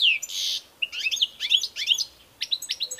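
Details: European goldfinch, kept bird, in song: a falling note and harsh buzz, then liquid twittered phrases and a quick series of sharp clipped notes.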